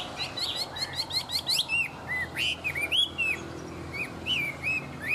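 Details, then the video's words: Tame hwamei singing in Vietnam: a fast flurry of short, sweeping whistles at the start, then spaced, rich slurred notes that curve up and down. "Họa mi thuần hót tốt"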